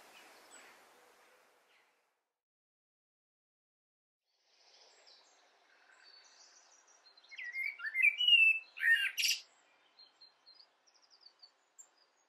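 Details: Eurasian wren singing in a garden, nesting beside a house: after several quiet seconds, one short, loud burst of rapid high trills and sharp sweeping notes lasts about two and a half seconds, then a few faint scattered high chips.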